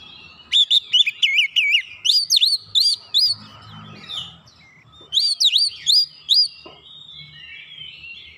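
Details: Oriental magpie-robin's fast song to get a lazy bird singing. A quick run of looping whistles leads into sharp flicked notes, a muffled pause, another burst of flicked whistles, and a faint trailing warble.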